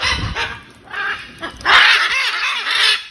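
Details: Hundreds of wild macaws at feeding time make a chorus of loud, harsh, grating squawks that overlap and swell, with the strongest drawn-out screech in the second half.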